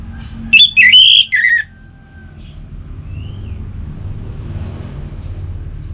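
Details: Orange-headed thrush in relaxed song: one short burst of three or four rich, warbled whistles lasting about a second, then quiet with a faint low rumble and a soft distant whistle.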